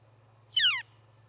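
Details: Small bird visiting an osprey nest at Charlo, Montana, on October 8, 2017, giving one loud, sweet call that slides steeply downward, lasting about a third of a second, over a steady low hum.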